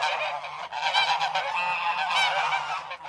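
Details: Geese calling together in a dense, continuous chorus of harsh, nasal honks with strong harmonics, overlapping without pause for about three seconds.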